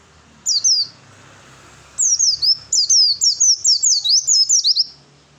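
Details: Oriental white-eye fighter song aimed at provoking other birds to respond: a short opening phrase, a pause, then a steady chain of high, thin, downward-slurred chirps lasting three seconds.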